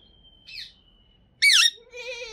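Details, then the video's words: Green Indian ringneck parrot talking: a thin steady whistle, a loud harsh squawk, then a lower, buzzy, voice-like syllable. "Beautiful Green Ringneck Parrot With Sweet Voice Talking"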